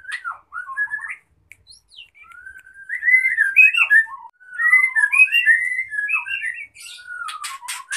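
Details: Female white-rumped shama giving a gacor lenjeh mating call to stir the male's breeding urge. Slurred fluty whistles rise and fall in quick, uneven phrases, building louder midway and closing with harsh buzzy notes.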